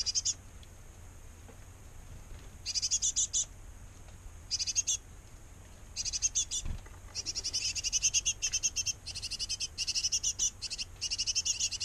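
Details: Great tit nestlings in a nest box fed by both parents; silent stretches alternate with bursts of rapid, shrill chirping that grow nearly continuous toward the end, over a faint steady high tone.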